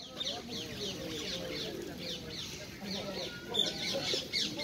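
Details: Wild ringneck parakeets at a busy feeding spot in Hyde Park, birds landing on the feeder's hands and head; harsh, downslurred screeches repeated rapidly, several per second, over a murmur of low voices and park background.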